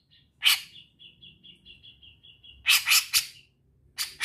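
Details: A grey-cheeked bulbul gives one loud harsh note, then a soft even trill of about a dozen high chips, followed by a burst of three harsh, explosive notes and another at the end.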